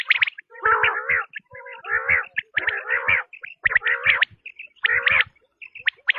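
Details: Quail calling steadily: strained, harmonic phrases about once a second, with high chips and short whistles in the gaps.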